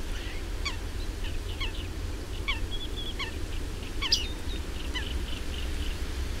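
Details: Bearded reedlings feeding on reed seeds: short, bright pinging and twanging notes repeated roughly every half second to one second, several birds overlapping, against a steady low rumble of wind.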